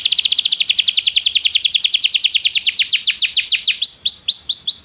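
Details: Belgian canary training song: a long series of quick falling whistled notes slowing gradually, changing near the end to rising, upswept notes.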